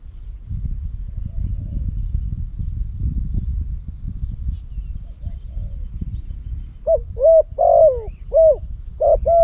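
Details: Spotted dove kept as a loud-voiced decoy bird for luring in Cambodia. Low rumbling background noise fills the first seven seconds, then loud, hollow, paired coos begin and repeat in quick succession.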